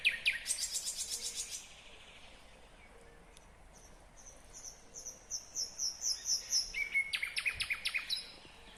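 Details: A nightingale sings in Kyrgyzstan, 2020: a fast, loud rattle of repeated notes, a pause, then high whistled phrases and a run of lower chopped notes.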